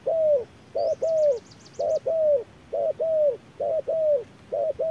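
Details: Wild spotted dove answering a decoy in harsh midday heat: crisp double coos roughly every second, each pair a short note then a longer descending one, with a thin high trill from another bird.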